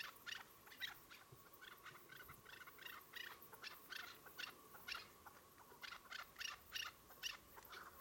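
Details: Several chukar partridges calling with a steady series of sharp chuck notes, about two each second, some clustered in quick pairs and triplets, over a quiet hiss.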